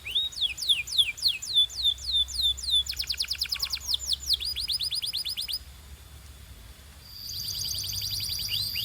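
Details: Canary song for coaching young singers: slurred looping notes, then a dense buzzy trill and a run of downward slurs, breaking off into quiet before a thin steady high tone returns.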